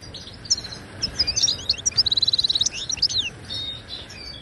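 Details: Moroccan goldfinch in Ouidani style, tutoring song for caged birds: quick jumbled twitters leading into a short even trill around two seconds, then a few slurred chirps over steady background hiss.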